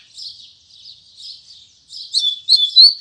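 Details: Double-collared seedeater in morning song, Tui Tui Zel Zel style. Gentle buzzy chirps give way to loud clear whistled notes, including a long level whistle at the end.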